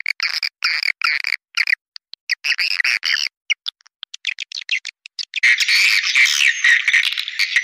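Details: Swiftlet call used to lure swiftlets: rapid bursts of bright twittering chirps stacked in two bands, repeated about four times a second with short gaps, then a denser continuous chattering twitter in the final seconds.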